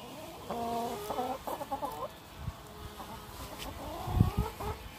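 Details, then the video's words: Chickens on an allotment, exploring their area. Drawn-out, harmonic clucking and trilled calls fill the first two seconds. Softer calls follow around three to four seconds, with a few low thumps and light wind noise toward the end. "The Chickens exploring their area"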